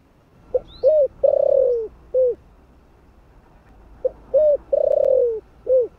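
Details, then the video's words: Spotted dove singing in the deep 'thổ' voice style, kept to stimulate newly caught birds: a soft pip, a short hooked coo, a long drawn wavering coo sliding down, then a closing coo, with the phrase given twice; a faint high chirp from another bird. "Cu gáy giọng THỔ ( không biết thổ gì ) kích bổi cực hay"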